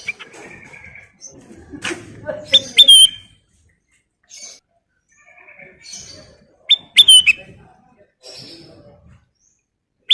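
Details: Chatty kutilang emas bulbul song in the 'full isian' style: buzzy trills and chatter broken by loud clusters of high whistled notes with a twisting terminal slur, recurring about every four seconds.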